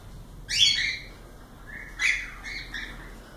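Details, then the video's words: Pet cockatiels calling indoors: a loud, harsh rising screech, then a second shorter burst about one and a half seconds later and softer chirps trailing after, over a low room hum. "Calopsitas Live de Agradecimento aos 500 Novos Inscritos Canto dos pássaros ASMR"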